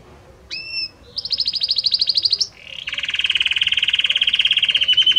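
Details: Singing Belgian canary: a brief whistled note opens a fast high trill, which slides into a long, lower, rapidly pulsing roll, the song shifting gradually between different notes.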